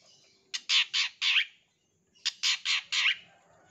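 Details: Long-tailed shrike song used as a lure and training sound: two bursts of four loud, harsh rasping notes each, the notes about a quarter second apart and the bursts separated by a short pause.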